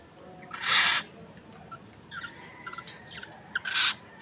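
Black-naped oriole giving two loud, harsh, nasal calls about three seconds apart, with faint short whistled notes between them.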